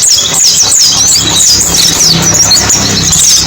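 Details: Lure song of a mountain white-eye: dense, very high twittering made of fast up-and-down slurred chirps without pause, with a faint low mechanical hum beneath.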